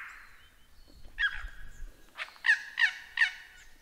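A lyrebird gives loud, harsh, harmonic notes, ending in three quick matching calls about a third of a second apart, with a faint background hiss.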